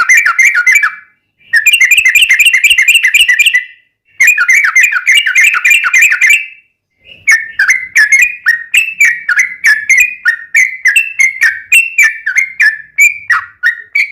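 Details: Yellow-vented bulbul song played as a lure to prompt captive bulbuls to answer: dense bubbling whistled phrases in three bursts, then a looser series of separate chirping notes repeated several times a second.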